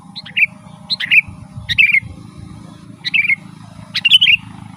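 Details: Sooty-headed bulbul giving its lively 'gacor' song for attracting wild birds: five bright warbled phrases of two or three notes each, spaced about a second apart, over a low droning background.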